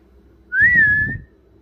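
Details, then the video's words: Pet parrot talking: a single smooth whistled note, gently rising then levelling, with a rough buzzy lower layer beneath it and a faint steady hum behind. "Parrot talking"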